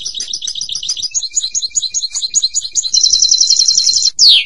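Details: European goldfinch song: quick doubled twittering notes accelerating into a dense rattling trill, ending with a loud buzzy downslurred note.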